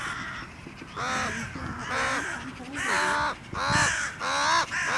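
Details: A crow fighting off a goshawk gives harsh, hoarse caws, about five in five seconds, each slightly bent in pitch, while a person talks briefly in the background.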